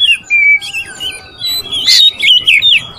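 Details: Song of an Oriental magpie-robin, meant to provoke rivals. Clear sustained whistles slide between notes, followed by a harsh squawky burst and further rising and falling whistled phrases.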